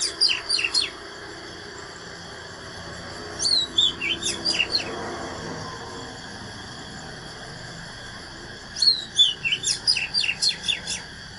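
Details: ['Natural Oriental magpie-robin singing its fighting song: three bursts of high clear whistles mixed with rapid sharp downward strokes, separated by pauses of several seconds, with faint background hiss.']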